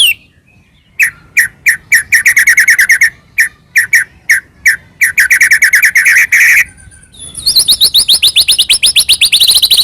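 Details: White-rumped shama singing hard, meant to provoke a rival shama into song: repeated short chattering bursts that lengthen into a rapid rattling run, ending in a fast, high, buzzy trill.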